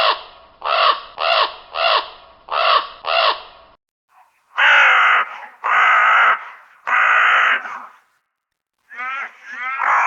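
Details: Raven giving a rapid series of short rasping caws, then three longer, rougher drawn-out croaks with pauses between, ending with two more grating calls.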